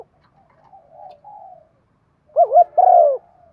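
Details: Spotted dove giving a driving coo and calling song, used to stir a decoy dove into cooing quickly; soft faint murmurs first, then one loud phrase of two quick wavering notes and a longer mellow falling coo.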